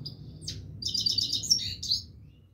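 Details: Himalayan goldfinch singing without stopping, a thin high note followed by a dense burst of rapid, liquid twitters and a final chirp, low hum faintly present.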